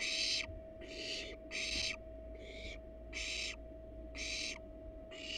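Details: Barn owls in the wild, two adults resting atop a nest box holding their nestlings; a run of seven noisy, breathy screeches, each roughly half a second long and irregularly spaced, over a faint steady hum.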